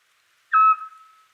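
A Eurasian scops owl gives one short, mellow, whistled 'tyoo' note at a steady mid pitch. A faint echo trails off into a quiet night.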